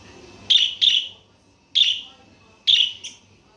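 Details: Budgerigar giving sharp, high chirps in four bursts about a second apart, some doubled into quick pairs, over a quiet background.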